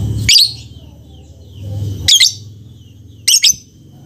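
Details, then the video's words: Lovebird giving three harsh, shrill chirps, the last two close together, against a steady low humming background. "SUARA BURUNG LOVEBIRD"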